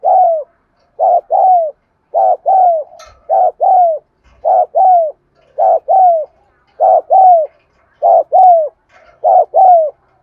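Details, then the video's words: Spotted dove giving 'thúc gù' coos for triggering cooing in caged birds: a steady run of about nine mellow two-note phrases, a clipped note followed by a longer descending one, roughly one phrase per second, no other sounds. "tiếng cu thúc gù hay"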